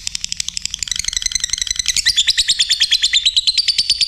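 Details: Lovebird singing actively: a fast, steady train of buzzy high chirps, about three per second, growing louder and shifting to a sharper, slightly higher trill midway, with some low rustling beneath.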